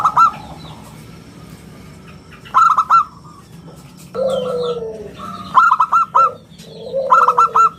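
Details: Local zebra dove singing actively, its round, crystal voice meant to lure and tutor other birds: repeated bursts of three clipped cooing notes, mixed with lower drawn-out falling coos and faint chirps.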